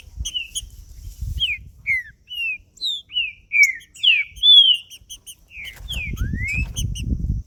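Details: Green-winged saltator sings 'macheando' song, meant to heat up other males so they sing more. A string of short whistled slurs rises and falls, peaking in a loud, long whistle midway. Low rumbling noise swells near the end.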